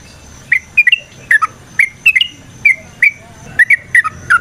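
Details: Sooty-headed bulbul song used as a lure: clear, spaced whistled notes, often in pairs, rising and falling, delivered at an unhurried irregular pace.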